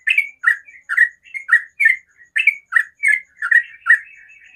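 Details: Morning 'ropel' song of a yellow-vented bulbul, a fast string of short bubbly, slightly slurred notes alternating higher and lower, roughly three each second, ending in softer chattering trills, with a faint high steady tone behind.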